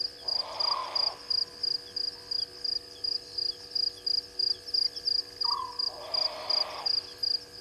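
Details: Grey heron calling at Gowrie dam waterhole, Djuma Game Reserve, Sabi Sand, South Africa, at 00:24 on 23 March 2020; two harsh, broad croaks about a second long, six seconds apart, over steady fast-pulsing insect chirps and soft frog notes.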